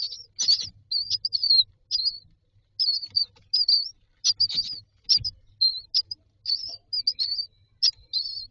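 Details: Myna chicks in a nest box asking for food, filmed on a nest camera: high, thin chirps with short wavering notes, given in quick irregular bursts with brief gaps, and a faint low hum beneath.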